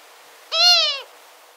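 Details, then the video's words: Female Long-eared Owl (Asio otus) near the nest giving a contact call: one nasal, squealing note about half a second long, sliding slightly downward at the end, over faint background hiss. "Asio otus (Long-eared owl) 3. Contacting call of female near the nest"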